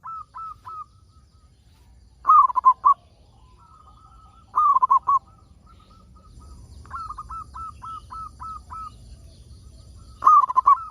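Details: Local zebra dove singing strongly, its song used to prompt other doves to sing: bursts of rapid, bubbling hooted notes alternate with spaced series of short, evenly repeated coos, over a low steady hum.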